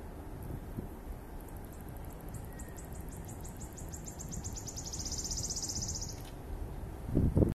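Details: A wood warbler at Laajalahti on 11 May 2019 sings a thin, high series of ticking notes that speed up into a shivering trill lasting about six seconds, over a low rumble of wind.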